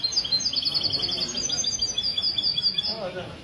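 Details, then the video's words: Mistou-style goldfinch song at a Sunday morning café gathering of goldfinch keepers in Ksar el-Kebir, February 2020: rapid tinkling high notes in a continuous chain, with crowd chatter underneath. "تغريد الميستو من جمعية لكوس للحسون الدهبي"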